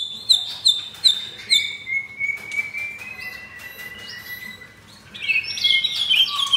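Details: Caged captive-bred F4 White-rumped shama with a mottled breast, in Jakarta, Indonesia, singing rough-material song: three sharp high whistled notes, then a long thin whistle gliding slowly downward, ending in a loud burst of chattery high notes.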